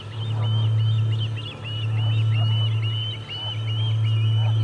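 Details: At the Charlo osprey nest, 8 August 2020, a parent lands with no fish: a continuous run of shrill, upslurred chirps repeated several times a second, with a constant deep hum underneath.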